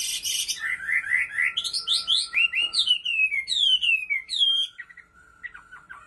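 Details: Chinese hwamei kept as a cage bird in Bình Định: a fast run of repeated upslurred notes climbing higher, then long falling whistles and a few soft, scattered notes as the phrase fades.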